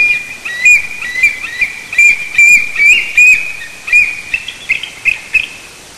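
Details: Nesting bald eagles, Maine coast in Hancock County, perched 70 feet up in a white pine, deliver a loud, stuttering series of high, ringing chips, roughly a dozen notes fading toward the end.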